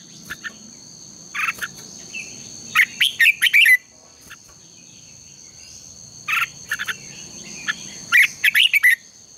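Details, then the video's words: Red-whiskered bulbul singing for morning contest training, loose clusters of sharp chirps and fast warbled whistles separated by pauses of about two seconds, a high steady hum beneath. "Luyện chào mào hót sáng | chào mào hót đấu"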